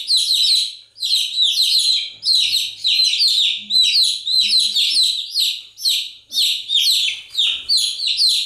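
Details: Steady chorus of chick chirps, piercing downward-slurred peeps arriving in regular bursts about every half second for the whole stretch.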